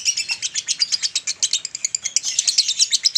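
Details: Long, unbroken chatter ('ngekek panjang') from a male lovebird, used to train adult males to sing more: fast, scratchy high-pitched chirps tumbling over one another at a steady, rapid beat.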